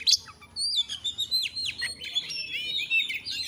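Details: Kacer (Oriental magpie-robin) masteran recording. A sharp high note is followed by a continuous, warbling song of sliding whistles and quick chirps, with a faint low background murmur.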